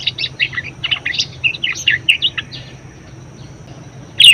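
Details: Budgerigar chattering song for coaxing other birds to sing; about two and a half seconds of busy squeaky chirps, then quiet, ending with one loud sharp note.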